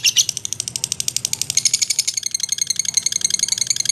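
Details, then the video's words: Lovebird chattering in a long, rapid, high-pitched trill, somewhat quieter and less even, with notes blurring together and slight room echo. "SUARA BURUNG LOVEBIRD GACOR NGEKEK & TELER"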